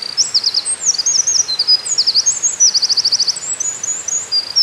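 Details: A Eurasian wren on moss, recorded 13 May 2019, sings vigorously in a loud, very high-pitched song of rapid trills and sharp chattering notes, with one fast rattling trill in the middle.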